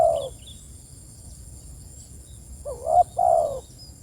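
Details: Spotted dove cooing to call its companions, the tail of one coo followed after a pause by a two-part phrase of a brief upward note and a drawn-out falling coo, with faint high chirps from another bird.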